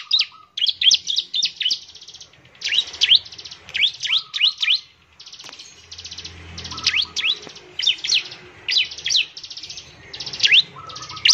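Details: Semi-gacor bar-winged prinia, played to prompt other ciblek semi to sing. Repeated bursts of high, sharp chirps over a buzzy hiss, with short low trills slipping in between bursts.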